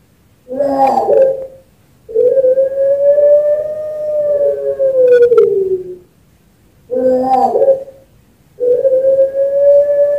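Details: Zebra dove, a champion bird kept at a bird farm in Sragen, Central Java, Indonesia, used as a master recording to stimulate other doves to sing: a rough throaty opening burst, then a long steady hooting note sliding down at the end, repeated.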